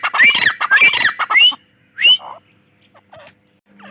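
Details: Grey francolin, locally called Dakhni teetar, calling: a loud, harsh burst of rapid squawking notes with short rising whistled tones for about one and a half seconds, then a single rising note, followed by near quiet with faint scattered sounds.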